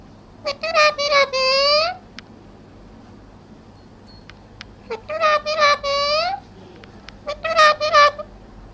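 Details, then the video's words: Pet talking parrot from India: three bursts of rapid, harmonic, voice-like chatter, each about a second long, separated by quiet gaps with faint clicks. "Parrot Voice | बोलने वाला तोता | तोते की आवाज |Tota ki awaz"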